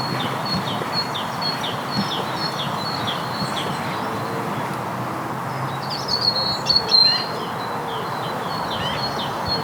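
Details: A great tit sings in Basingstoke, Hampshire, UK, on a spring Sunday morning while territories form, with long-tailed tits nearby: rapid, thin high notes over a soft chorus of other birds, then a brief louder burst of chatter.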